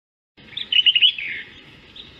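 A dowitcher's song element: a quick, high twittering burst of about five notes in under a second, trailing into a softer, fading buzz over faint hiss.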